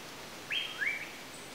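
Asian paradise flycatcher giving two quick, slightly harsh high notes, the first rising sharply, the second sliding up and down, over a faint background hiss.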